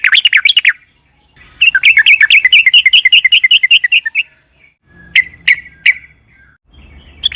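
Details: Yellow-vented bulbul in an energetic long rolling song meant to lure others into singing: chattering bursts merge into a fast, even trill of bubbly notes, followed by three sharp separated notes.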